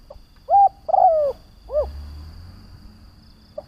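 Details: Spotted dove used as a decoy, cooing to lure and provoke other doves: a soft low note, a flat hollow coo, then a long drawn-out coo sliding downward, closed by a short arched coo; steady faint hum behind.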